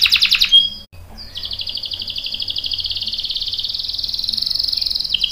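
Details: Canary rolling song used as a lure for other singers: a short burst of chirps and a sharp whistle, a brief pause, then a long, even, rapid buzzy trill.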